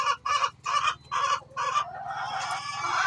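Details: Hen making noise before laying an egg: five quick loud harsh clucks in a row, then a longer rising squawk.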